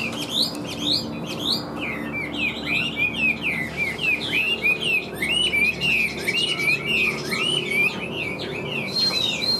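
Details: Large caged Chinese hwamei with yellow bill and feet, singing energetically with tail flicks: dense, continuous warbled whistles and looping slurs, steady and loud throughout.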